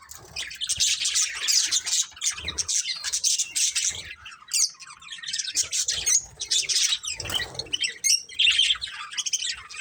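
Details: Budgerigar breeding pair chatters and squawks in rough, high bursts with scratchy warbled notes and low cage knocks.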